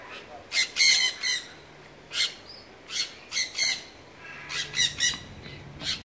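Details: Several sun conures in captivity at Artis, Amsterdam, screech repeatedly, harsh piercing squawks in bursts of two or three, with a low steady hum in the background.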